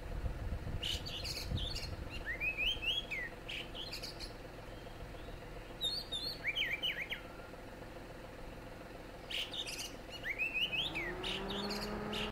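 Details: Oriental magpie-robin recorded at Cameron Highlands, Malaysia, giving short bursts of sweet, upslurred whistled notes in several phrases over a steady low traffic hum.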